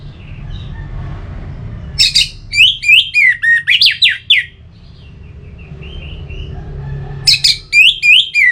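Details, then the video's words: Orange-headed thrush from Singaraja, Bali, a caged songbird, giving rapid whistled phrases of sharp, warbled notes in two bursts, with soft twittering between them and a constant low hum behind. "Suara Ini Bisa Membangkitkan Burung ANIS MERAH agar Jadi Gacor"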